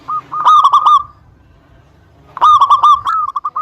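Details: Local zebra dove singing to lure rivals into answering: a rich, bubbling coo phrase, over a second of quiet, then a second rolling phrase trailing into separate clipped notes.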